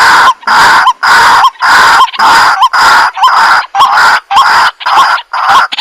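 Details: Rhythmic repeated call of a White-breasted waterhen: loud nasal, honking croaks, about ten in a row at an even pace, each finishing with a small rising inflection.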